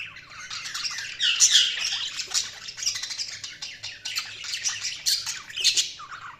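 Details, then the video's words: Several budgies warble and chirp loudly and nonstop: dense, scratchy, high twittering with squeaky peaks and rapid clicky notes, barely a pause throughout. "Budgies Sounds| Budgies Chirping sound"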